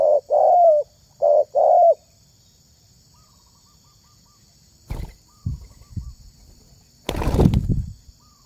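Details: Spotted dove calling to lure other doves: four hoarse coos, two short and two longer with falling ends, then quiet, followed by scattered knocks and a loud rustling thump.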